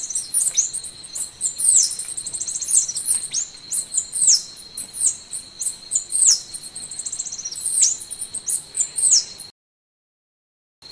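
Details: High, thin, sweeping notes of Golden-winged sparrow song follow one another rapidly in bursts, set against a continuous shrill whine, ending in silence.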